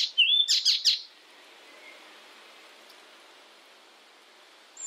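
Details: Icterine warbler, a European songbird, recorded as training material for songbirds: a short burst of high, rapid chirps and whistled notes in the first second, then quiet hiss, with another phrase starting at the end.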